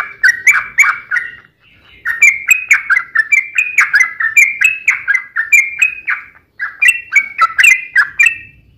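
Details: Sooty-headed bulbul fighting song meant to lure other bulbuls into singing; series of bubbly, warbled phrases of rising and falling notes, repeated steadily with a short pause midway.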